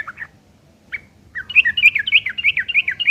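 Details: Sooty-headed bulbul delivering a fighting song to bait other bulbuls into responding; a few scattered notes, then a fast, regular stream of rising, scratchy whistled notes, roughly fourteen in under two seconds.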